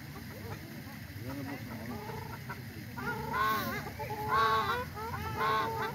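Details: Ruddy shelducks on a frozen lake at a water park in Tianjin, China: nasal, honking calls with rising and falling tones, growing louder and more frequent in the second half, over steady low background rumble.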